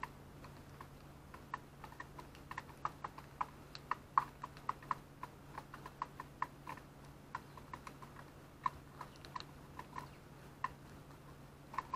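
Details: Irregular clicking taps like keyboard typing over a steady low hum, with no animal voice heard.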